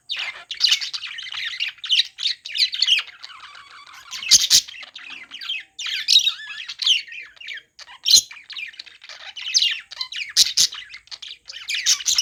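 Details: Budgerigars chirping during play, a long stretch of chattering, squawking and warbling phrases with occasional sharp loud clicks, steady throughout.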